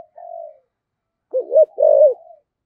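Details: Decoy Spotted Dove with a 'thổ' voice, a soft low hum followed after a pause by three deep coos, the last one longer and gently falling, in 'hai hậu' calling style.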